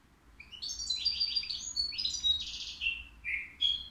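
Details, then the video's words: At the Qriaa bird market, a caged European goldfinch aged three years sings cleanly: a continuous, rapid twittering phrase with sharp rising chips, buzzy trills and a few clear whistled notes ending in brief chirps. "الموقنين بدون أخطاء عندو 3 سنوات"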